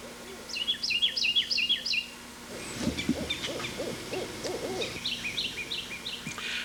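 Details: On Sanibel, late in the day in a dense tree, a parent and young owl give a low nine-note hooting series, while a nearby Carolina wren's loud, rolling chirped phrases ring out before and after.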